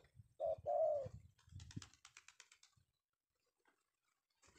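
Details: Male spotted dove caught in the afternoon, sought by bird trappers: two short, low, hoarse coos, the second longer and slightly falling, followed by rustling and clicking noises and then quiet.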